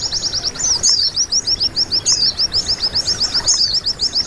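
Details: Caged-bird training song of a white-eye, played so birds start singing: high, tightly repeated curved chirps, about three or four per second, with sharper squeaky notes layered above, steady and busy throughout.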